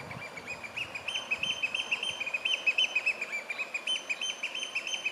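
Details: A ringed Eurasian oystercatcher, thought female, gives loud courtship and territorial display calls on a River Wharfe bank in the Yorkshire Dales in early June 2022, recorded from a fair distance: shrill, high, ringing notes tumbling out several per second, uneven, with faint hiss.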